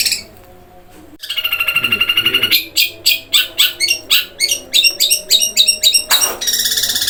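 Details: Long-tailed shrike, 'gereja kuntilanak roll speed' song. After a quiet moment, a long harsh rasp gives way to rapid regular sharp 'tembak' notes about four per second, ending in scratchy chatter.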